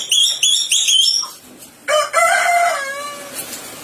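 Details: Sulawesi myna giving three quick, repeated rasping harmonic notes, a short pause, then a rich nasal phrase of stacked tones settling into a long, level, slightly falling note.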